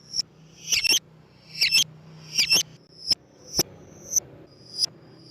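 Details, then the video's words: Lovebird sound played to lure lovebirds: shrill high squeaky chirps, some thin single notes and some harsher buzzy bursts, spaced unevenly about every half second, with a faint low hum underneath. "MEMANCING BURUNG LOVEBIRD DENGAN SUARA BURUNG GACOR"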